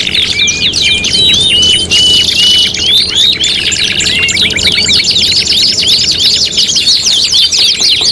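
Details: Canary singing in a competition tutoring mix: a clear rising whistle opens, then rapid repeated chips and fast rolling trills crowd together, with layered voices throughout.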